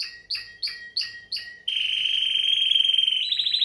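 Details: Five spaced, sharp falling notes from a Timbrado canary, then a loud continuous rolling trill that steps up in pitch at the end.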